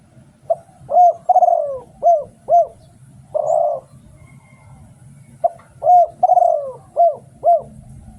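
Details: Two repeated phrases of Thai spotted dove decoy song. Each opens with a short note, then a drawn falling coo and two or three arched coos, separated by a pause and a brief noisy burst, over low hum.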